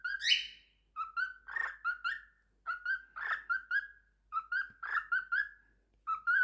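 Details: A pet lutino cockatiel sings a series of clear, warbling whistles in short repeated phrases.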